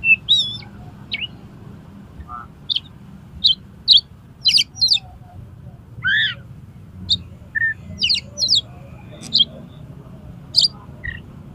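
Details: Oriental magpie-robin pouring out its learned song, tail spread, challenging another magpie-robin to fight; loud varied high whistles, sharp chirps and buzzy notes in quick bursts over a low steady background hum.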